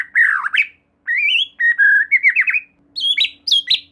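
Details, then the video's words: Singing white-rumped shama used to provoke a rival shama into song: a scratchy downslurred phrase, a long rising whistle, a chattering string of bright notes, then high clipped whistles. "Silahkan Coba Video Pancingan Murai Batu Gacor Ini, Murai Bahan Pasti Bunyi || Voice of Murai Batu"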